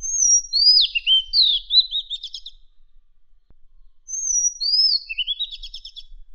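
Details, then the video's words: Madagascar magpie-robin sings two phrases about three seconds apart, each a high thin whistle and sweet rising slurs ending in a quick run of buzzy chattered notes. The song is offered as training audio for caged birds. "Suara Burung Kader Madagaskar"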